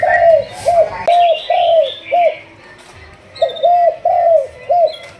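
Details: Decoy-training spotted dove, a Malaysian 'thúc gù' line bird. It gives quick rounded coos in two runs, four or five notes each, with a quiet gap between. A sharp click and brief higher warbling come in near the start.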